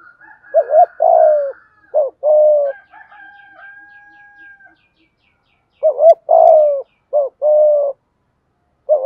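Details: Spotted dove coos used to attract wild doves. Short double notes and drawn-out coos open and close the passage. Between them comes a long, higher, wavering drawn call from another bird.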